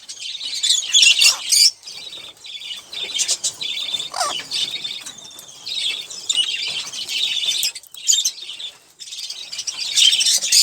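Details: Olive-throated parakeet eating sunflower seeds and drinking, with rapid runs of shrill, scratchy chirps, brief thin whistled notes, and several short gaps between noisy bursts of chatter.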